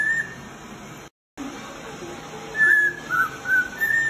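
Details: A male cockatiel, recorded as song for training other cockatiels, whistles a few clear mid-pitched notes, some level and some wavering, then after a brief break a quicker string of notes; finding: Cockatiel.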